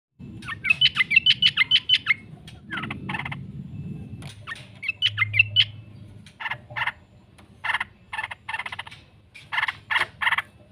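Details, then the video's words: Yellow-vented bulbul lure recording for training birds, opening with a rapid run of bright whistled notes, then bursts of harsh chattering notes separated by pauses, with a low hum beneath. "trucukan gacor ngekek panjang sekali pancing jadikan burung trucuk sekampung emosi nyaut"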